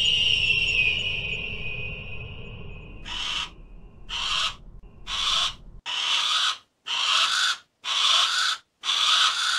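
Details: Harris's hawk: after an opening falling whistled tone, a run of harsh, grating, buzzy rasps about half a second long, repeated roughly once a second.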